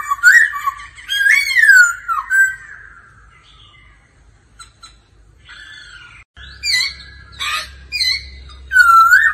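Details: Laughingthrush in daily singing practice with a female, giving loud, looping whistled phrases, then a quiet pause, then bursts of harsh, chattering notes mixed with whistles.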